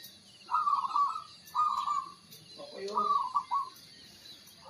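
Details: In the morning, a caged local zebra dove gives three rolling, mellow cooing phrases of quick stuttered notes, each under a second, before a singing contest, with a man's voice briefly in the background.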